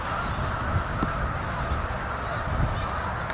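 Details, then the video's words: Autumn flock of Canada geese, South Utica Reservoir, Utica NY, November; many honks overlap into a continuous clamour, a few louder calls standing out near the start and end over low rumbling noise. "Canada Geese in the Fall in Utica NY"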